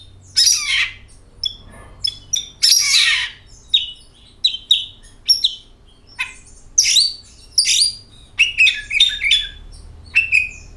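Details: Oriental magpie-robin lure song for kacer birds: harsh rasping bursts mixed with quick high chirps and short whistles that sweep up and down, continuing throughout.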